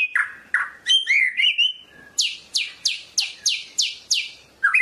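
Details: Varied white-rumped shama song of the Medan type: slurred rising and falling whistles, a short warble, then about seven loud high downward-sweeping notes repeated rapidly in an even rhythm.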